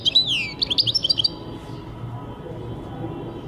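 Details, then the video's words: European goldfinch singing in 2023: a short burst of rapid, liquid twittering notes with quick rising and falling whistles, then stopping, leaving a low steady background hum. "goldfinch singing chardonneret jilguero singing"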